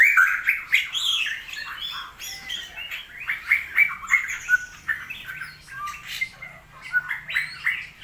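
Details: Straw-headed bulbul singing during a rainy season, which the owner says affects its song, pouring out a loud, rich, bubbling warble of fluty, slurred phrases, rising and falling without pause for eight seconds.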